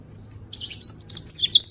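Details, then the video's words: A glatik batu or wingko (cinereous tit) sings as a vocal tutor. After a short silence, high, bright chirps and warbling slurred notes run together for about a second. "Guru Vokal | Master Burung Glatik Batu / Wingko"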